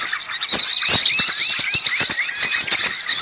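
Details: Small birds chattering loudly together, a lure recording for catching birds; rapid high twittering packed tightly, with short rising whistled notes repeating about every quarter second over clicking background.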